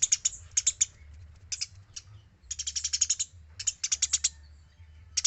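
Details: Eurasian tree sparrow in lively, clean voice, used as tutor audio for other birds: bright, high, metallic chirps delivered in quick rattling runs of several notes, with brief gaps between bursts and a soft low background hum.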